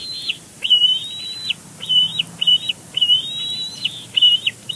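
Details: Bald eagles at a nest at Big Bear Lake on 12 May, one calling while arranging fluff its mate brought in: high, thin, whistled notes that rise and flatten, given in short repeated bursts over background hiss.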